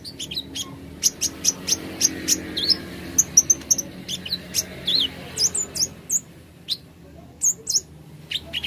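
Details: Plain flowerpecker, offered as a therapy recording to spur singing: a steady stream of thin, high, sharply downslurred chirps and ticks, irregularly spaced about two or three per second, against a quiet low background hum.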